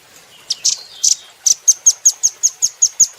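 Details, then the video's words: Cage-bird training recording of a velvet-fronted nuthatch: a few buzzy high notes lead into a brisk, regular chain of about ten sharp, piercing chips, each a fraction of a second apart. "Rambatan Doraemon Super Gacor"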